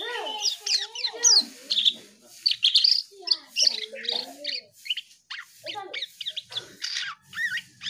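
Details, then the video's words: Asian pied starling, gacor, mixing deeper looping whistles with bright high chirps and squeaks in a rapid, varied, mimic-like medley. "Burung cucak Keling Gacor"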